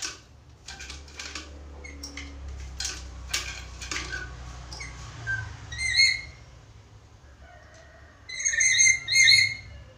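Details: Chatty black-capped lory, a talking parrot, recorded as a training master for other birds: clicking and rustling at first, then a ringing harmonic call, then a quick series of three loud, sharp nasal calls near the end.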